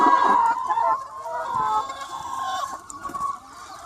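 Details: Some 200 free-range chickens calling together on a sunny spring day: a loud opening squawk, then a busy, overlapping jumble of clucks and quavering calls that slowly fades.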